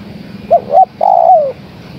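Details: Female spotted dove calling to the male: two short, clipped coos followed by a longer, smooth coo that slides gently downward at the end. A low steady hum sits underneath.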